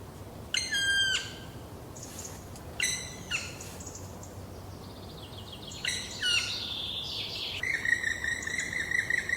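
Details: Black woodpecker pair tending juveniles still in the nest, in a Trentino forest, Italy, in late spring 2018: sharp high descending squeals in short groups, then a rapid stuttering chatter, over steady background hiss.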